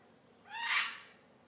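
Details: Pet African grey parrot being cute at home, giving a single soft, drawn-out harmonic squeal that swells and fades over about half a second against quiet room background.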